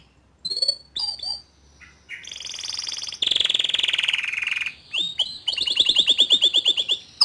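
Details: Young male Atlantic canary song meant to stimulate a juvenile to sing: a few spaced high chips, then a buzzy descending roll and a fast series of bright repeated notes.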